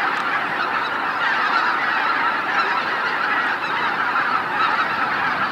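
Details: A large flock of greater white-fronted geese coming in to roost at Miyajima-numa, Bibai, Hokkaido, in 2016 forms a dense, unbroken chorus of high, yelping honks overlapping into a steady roar.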